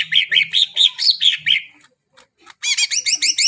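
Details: Greater green leafbird song meant to coax quiet birds into singing: a string of short whistled notes that rise and fall, a brief gap, then a quick series of clear, upward-sweeping chirps. A faint low hum sits underneath.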